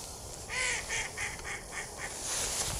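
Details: Several Mallards near a lake give a run of about six harsh, nasal quacks that fade and soften over a second and a half, over steady rushing background noise.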